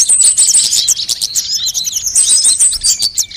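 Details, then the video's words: Lure recording of assorted sunbirds meant to draw in wild birds and tutor caged ones: rapid, high, tinny chips and quick slurred whistles packed together, with a brief lower tone near the end. "suara pikat semua jenis burung kolibri"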